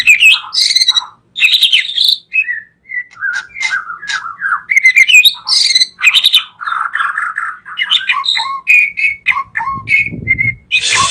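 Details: Murai batu, the white-rumped shama, singing a long varied sequence of whistles, harsh squawky notes and warbled phrases with short pauses between them.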